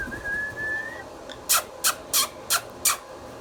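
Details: Talking pet Indian ringneck parakeet: one long, level whistled note, then five short harsh rasping squawks spaced roughly every third of a second.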